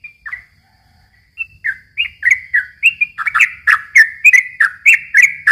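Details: Yellow-vented bulbul, gacor long rolling song meant to provoke and lure young birds: a couple of short whistles, a second of quiet, then a quickening, dense run of bright, chirpy, bubbly notes that grows louder toward the end.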